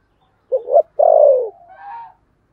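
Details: A 'thổ'-voiced spotted dove, kept as a decoy to draw other birds, gives a double short coo and then a drawn-out descending croon. A softer high whistled note from another bird follows.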